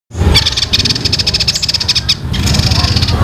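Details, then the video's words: Young songbird whose voice resembles fighting sparrows, with long, tight rolling phrases: rapid buzzy rattled chatter, high and dense, broken by short pauses, over low background rumble. "suara burung ini mirip gereja tarung full ngeroll panjang rapet"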